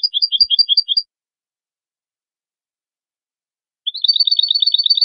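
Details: Goldfinch singing a short run of paired tinkling notes, pausing in silence, then starting a faster, denser liquid twitter that climbs slightly.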